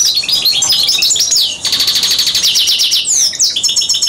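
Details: Algerian goldfinch mule (hybrid) singing, recorded 2009: a fast, continuous run of bright twittering notes, buzzy trills and sharp rising and falling whistles, high-pitched and densely packed, with a brief pause near the middle.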